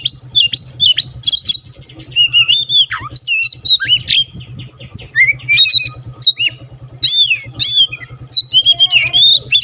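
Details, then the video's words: White-rumped shama in full song, tail spread, its singing said to prompt other shamas to sing; rich rapid medley of whistles, slurred rising and falling notes and harsh squawky bursts, over a steady low hum. "burung kacer gacor buka ekor sekali bunyi langsung bisa merangsang kacerlain gacor"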